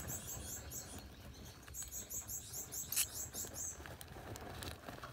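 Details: Gouldian finch nest holding four yellow chicks: quiet, high-pitched squeaky chirps repeated quickly in bursts, several in a row, over low rustling noise.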